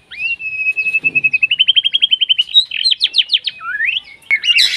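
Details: White-rumped shama in breeding condition, singing energetically to call a rival, with rich varied material: a long steady whistle, then fast repeated notes speeding up, a burst of sharp falling sweeps, a slurred rising note and a harsh buzzy ending.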